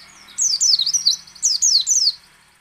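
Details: White-eye (pleci) singing in the ngecal, ngalas and nembak styles, used to prompt other white-eyes to sing: two bursts of high, thin, rapidly descending chirped notes in quick runs, separated by a short pause.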